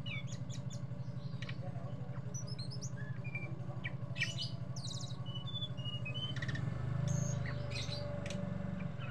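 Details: Sunda bush warbler singing in the chattering 'ngeriwik' style: rapid bursts of high, thin chirps and quick twittering notes in irregular clusters, over a steady low hum.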